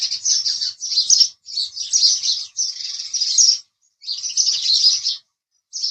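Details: A house sparrow gives long runs of rapid, rasping chirps, each lasting a second or more. They are separated by brief silences, and a final burst starts just before the end.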